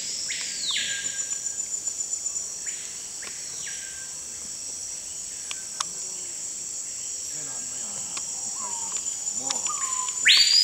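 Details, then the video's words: Screaming piha singing in Amazon rainforest forest at Manaus, Amazonas, Brazil: several loud whistles that swoop up and hold before falling away, some distant, a few lower notes, beneath a constant shrill insect buzz. "Amazon rainforest, Songbirds Amazon Lipaugus vociferans"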